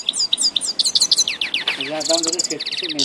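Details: Grey-headed goldfinch singing in Tajikistan, quick high twittering notes followed by a harsher, nasal buzzing passage with lower tones from another sound underneath.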